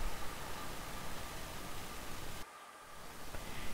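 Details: Loud rushing broadband noise, briefly quieter midway, with no animal call heard.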